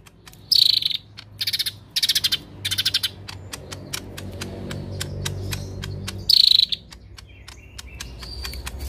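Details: Harsh 'tembakan kasar' song of a lesser green leafbird in full voice: rasping, stuttered bursts repeated in quick succession, then a pause and another loud buzzy burst, with dry clicking behind.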